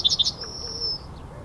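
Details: Male Yellowhammer at the Ahsewiesen nature reserve on the morning of 17 February 2019, Panasonic Lumix GH5 recording: the close of a phrase, two sharp high notes running into a long, thin, even tone that fades out.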